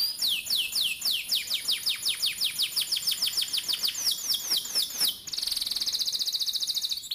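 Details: Canary singing a training song meant to teach young birds: a long series of sharp descending chip notes repeated about four times a second, then a fast dense high roll.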